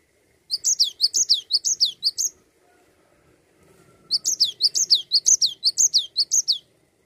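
A Cinereous tit sings two bursts of quick, high, ringing notes, about four or five a second, separated by a short quiet pause.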